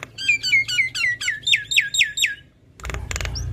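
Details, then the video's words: Caged female Javan myna repeating a short falling whistled note about twice per second, eight or nine times, followed by a couple of broad clattering knocks. "Jalak Kebo gacor Full isian Biarpun Betina Tetap rajin Ngoceh"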